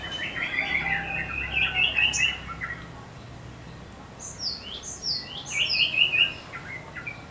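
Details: Excited sogon song during a wing-spreading display: quick runs of sharp chirps, a pause, then a fresh series of rising, slurred high notes.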